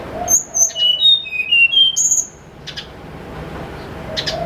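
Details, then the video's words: Morning song of a snowy-browed flycatcher used as a lure: high, clear whistles descending in a quick stepwise sequence, then a sharp high note. Soft dove cooing sounds at the start and end. "PANCINGAN SUARA BURUNG TLEDEKAN GUNUNG GACOR"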